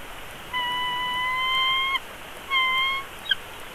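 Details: At a Big Bear Valley bald eagle nest, a two-week-old chick begs during a feeding in March 2022. A long, level, harmonic whine is followed after a short pause by a briefer second whine and a faint click.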